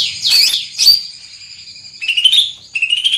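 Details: Greater green leafbird, large in body with a loud penetrating voice, giving two harsh sharp notes followed by long, clear high whistles that waver and then step downward.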